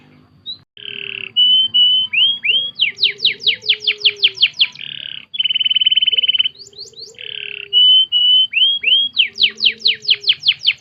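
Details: Canary song meant for teaching other birds, rolling series of steep rising sweeps, a sustained rapid trill, short whistles and curved notes, phrases switching every second or two.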